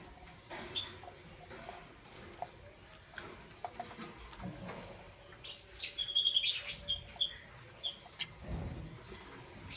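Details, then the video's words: Lovebirds of Parblue Euwing Green Opaline and Green Opaline colour forms in the morning: a quick cluster of sharp, high chirps around the middle, with scattered soft clicks and rustling before and after. "Lovebird Chirping Sounds"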